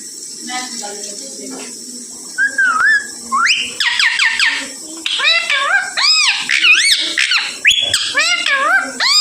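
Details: Pet parrot vocalizing indoors: a series of loud whistled, arching notes and rising sweeps, some voice-like, repeated in quick bursts after a quieter start with faint background sounds.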